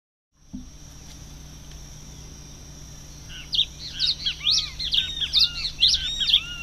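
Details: A red-crested finch (Coryphospingus cucullatus), recorded 22 October 2008, gives quick, high chipping and twittering notes about two a second after a quiet stretch, with soft arched lower notes over a steady background hum.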